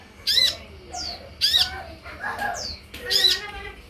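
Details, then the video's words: Olive-backed sunbird (kolibri ninja) sound used as a lure to make other sunbirds answer and sing: three loud, harsh, buzzy chattering bursts about a second apart, with softer descending whistled notes between them. "SUARA PANCINGAN DAN MASTERAN UNTUK SEMUA JENIS KOLIBRI YANG AMPUH MEMBUAT KONIN NYAUT DAN IKUT GACOR"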